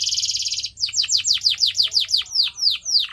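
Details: Pet canary singing, a recording meant for training birds: a fast buzzy rolled trill, then a string of clear descending whistled sweeps repeated about three per second.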